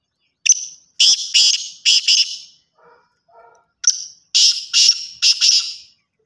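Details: Black francolin repeating its call twice, each a sharp thin introductory note then three or four harsh, grating, emphatic notes; quiet low tonal sounds fill the gap between the two phrases.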